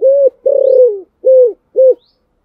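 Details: Spotted dove's Thổ Sấm-style contest coo for stirring a newly caught bird: four deep, hollow hoots, the second longer and pulsing, the last two short and evenly spaced.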